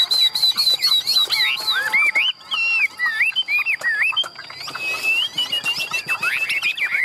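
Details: A hand-tame Chinese Hwamei bred for singing contests, a large bird held in hand, pours out a loud, rich run of varied whistles, with slurred rising and falling phrases tumbling quickly one after another in competition style.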